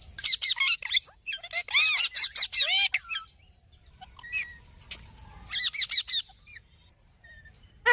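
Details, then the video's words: Pet talking parrot producing dense runs of high squeaky, chattering notes and arched whistled syllables in quick bursts, with a pause, then another chattering burst and a final sharp call. "Taking parrot"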